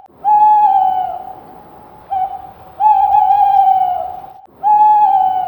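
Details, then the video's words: Screech owl calling with sustained, even-pitched whistled trills, each roughly one to one and a half seconds long and sometimes led by a brief short note, repeated about every two seconds. A quiet steady hiss runs beneath. "screech owl sound"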